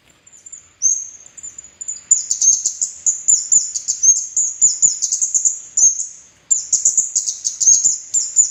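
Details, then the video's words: Red-headed kemade bird song used as a lure to prompt kemade that have stopped singing, and to train young birds to sing boldly. Begins with thin high whistles, then becomes a dense, rapid twittering of very high chirps in fast bursts, broken by a brief pause. "SUARA PANCINGAN BURUNG KEMADE KEPALA MERAH"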